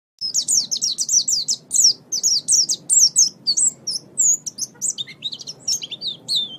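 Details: Caged white-eye song used as a training recording for caged birds, best played in the morning or evening: rapid high-pitched twittering of short sweeping whistled notes in dense bursts, about ninety a minute, over a faint low background hum.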